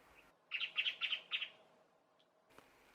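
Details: Lewin's honeyeater, whose calls serve as a warning system to other honeyeaters while feeding, gives a rapid burst of five loud, staccato, machine-gun-like notes over about a second, in a quiet setting, in August.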